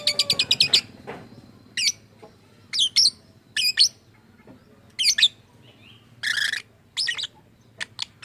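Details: Caged lovebird, said to produce strange sounds and imitate people, starts with a rapid rattle of high chirps. Paired sharp chirps follow at irregular gaps, with one harsh, rasping squawk near the end.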